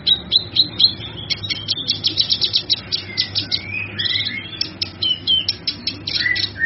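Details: Cucak kinoi in full song for songbird training: a sustained, rapid stream of high sharp chirps broken by brief whistled glides and slurs.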